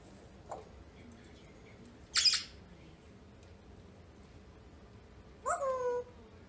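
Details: Pet female African grey parrot indoors on New Year's Eve, fighting bedtime like a toddler: one harsh, high squawk burst, then a short falling, harmonic vocal note a few seconds later against a quiet room.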